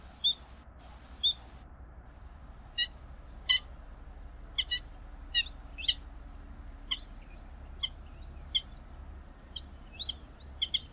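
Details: Tricolored munia (Lonchura malacca) giving a long run of brief, thin high chirps, singly or in quick pairs, irregularly spaced over the whole stretch, with faint background hiss.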